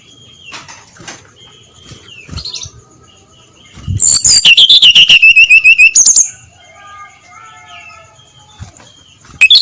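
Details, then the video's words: Brown-chested jungle flycatcher singing at dawn in the clear, open ngeplong style: one loud burst of about a dozen rapid whistled notes sliding downward from very high to high pitch, with faint chirps from other birds before and after. "SUARA SRDC NGEPLONG PAGI BUTA, COCOK PANCINGAN SRDC BIAR BUNYI GACOR NGEPLONG"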